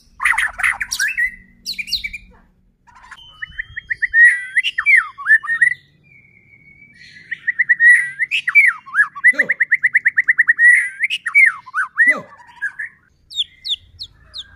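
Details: Song of a white-rumped shama, played to stir other shamas to sing: varied fluid whistles, a fast rattling series of repeated notes, rising and falling slurs, and occasional high thin notes, with brief harsh chatter at the start.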